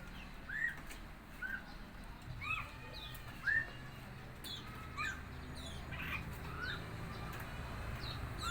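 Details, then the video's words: Young red-eyed fig bird, aged four months, learning to sing: spaced, clear down-slurred whistled notes, about one a second, with scattered high ticks and a low background drone. "burung ara mata merah umur 4 bulan belajar ngeriwik"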